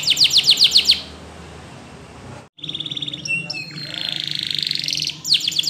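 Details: Spanish Timbrado canary training song: short burst of rapid repeated notes, a silent gap, then metallic trills and a rasping roll before another quick note series.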